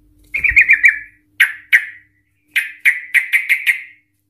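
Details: Lively Yellow-vented Bulbul singing in the long ropel and ngikluk manner, a lure to draw song from other bulbuls: a fast bubbling trill, two sharp notes, then a rapid even series of six bright chipped notes.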